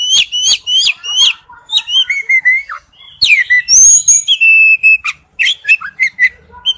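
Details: Male oriental magpie-robin calling to a female: fast repeated rising whistled notes, then drawn-out clear whistles and a bright mixed phrase of chirps and slurs.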